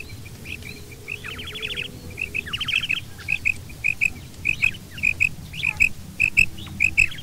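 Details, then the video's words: Quail, female and male mix calling: quick descending trilled runs at the start, followed by a steady string of crisp paired chirps about every half second over low, rumbling background noise. "Female Batair Calling 2020| Male Batair Sounds | Mix Calling | Maadi Batair Ki Awaz | Female Batair"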